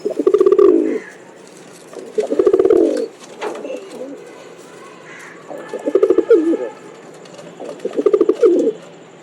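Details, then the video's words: Pigeon cooing steadily: four low, throbbing bursts, each a few pulses building into a rough rolling coo, separated by quiet gaps with a faint higher note or two. "khaal kabootar masti pigeon Sound"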